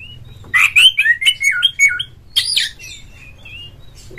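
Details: Oriental magpie-robin singing vigorously to urge other magpie-robins on: harsh rasping notes mixed with wavering whistled slurs, a second harsh burst, then soft thin whistles trailing off.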